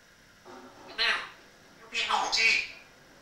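An African grey parrot gives two bursts of high, voice-like chatter: a short phrase, then a longer, rasping one, in an otherwise quiet room.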